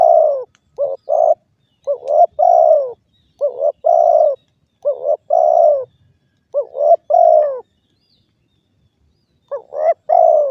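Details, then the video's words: Spotted dove calling insistently, about five coo phrases in quick succession with short gaps, mellow falling notes alternating with brief stuttered ones, steady and loud over a quiet background. "suara burung derkuku"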